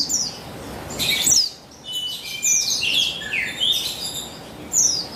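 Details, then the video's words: Female buxtoni white-eye, used to coax males to sing, dated 3/8/21: sharp high twitters and short slurred descending notes in loose bursts, roughly one a second, over faint background hiss. "Buxtoni Betina Memancing Bunyi Burung Pleci Bahan Agar Bustomi Gacor Ngalas"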